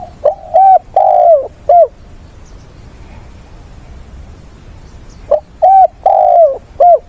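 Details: Decoy spotted dove on a weekend, 6 September, calling to provoke wild doves, call mates and sing a fighting song: two mellow cooing phrases, each a short note, a paired coo and a long drawn falling croo, separated by a pause.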